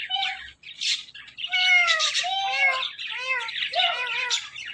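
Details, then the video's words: Talking ring-necked parrot kept as a pet, giving a run of speech-like phrases made of harmonic, arched syllables, some rising then falling, with rougher chattering notes between them. "Ring Neck Talking Parrot |بولنے والے پیرٹ"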